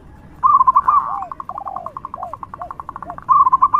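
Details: Lure song of a loud local zebra dove: a bright trilled phrase, then soft falling coos and a run of short pulsed notes, ending with another quick warbled phrase.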